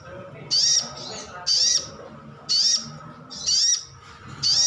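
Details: Lure call of a captive brown-throated sunbird ('ngalas' type), used to get other birds to respond: five bright, high chirps repeated evenly about once a second.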